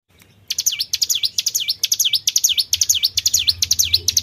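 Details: Tribel bird calls used to lure other birds: after a half-second hush, a fast series of high, sharply dipping V-shaped notes, each swooping down then up, about two per second, over a steady low hum.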